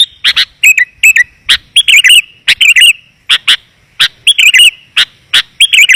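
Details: Clear, dense sooty-headed bulbul lure call for calling in wild bulbuls. Repeated bright chirps and cheerful bubbling phrases with twisting notes, delivered in lively clusters.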